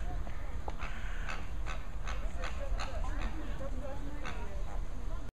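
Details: Greater and American flamingos chatter as a flock: rapid, repeated short honking notes roughly every half second, with softer gabbling calls underneath and a constant low background rumble.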